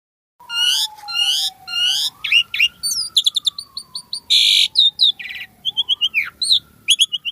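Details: Asian pied starling singing energetically with a rich, varied fill: stacked buzzy chirps, rapid clicking bursts and short whistled slurs, over a long steady low whistle that slides gently up and down through the phrase.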